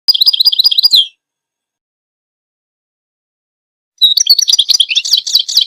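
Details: Goldfinch chirps kept for birds to listen to, memorize and be stimulated by: a one-second burst of rapid, high, jangling twitters, a long silence, then nearly two seconds of denser, busier twittering chirps.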